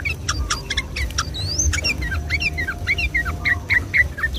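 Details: Sooty-headed bulbul lure song, lively 'gacor ropel' delivery on a Sunday morning: quick, evenly spaced hooked notes repeat several times a second after a brief rising whistle, over a low hum.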